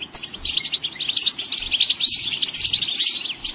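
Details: Lively goldfinch song: fast, bright twittering and jingling notes packed closely together, running almost without a break, with some faint low background rumble.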